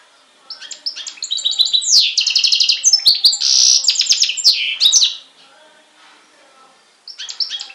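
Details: Hybrid of European goldfinch and canary from Syros, Greece, July 2007, delivering a loud, dense warble of high trills, buzzes and tinkling notes for about four seconds, a pause, then resuming.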